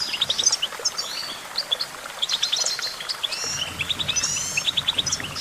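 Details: Goldfinch in full song, pouring out fast tinkling twitters, short trills and sharp upward chirps in overlapping bursts. Soft low background noise is present.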